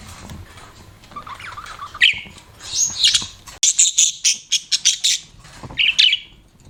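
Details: Pet budgerigars chirping: scratchy, squawky chatter and bright warbled notes, high-pitched bursts clustered in the middle and a final squawk, with a faint low hum beneath.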